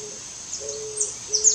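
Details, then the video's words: An Eared Dove (Zenaida auriculata) gives soft, low, hollow coos: a brief note, then a longer drawn-out one and the start of another, over a steady high insect-like hiss. "POMBA AVOANTE (ZENAIDA AURICULATA), EARED DOVE"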